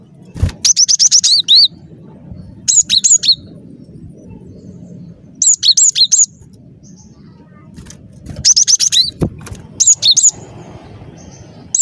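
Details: Cinereous tit in full song, played as a trapping lure: rapid runs of high, ringing paired notes in bursts every couple of seconds, with steady low background noise.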